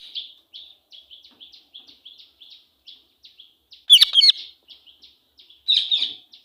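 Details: Female Indian ringneck parakeet: a steady string of soft, short chattering notes, broken twice by sudden loud, harsh screeches.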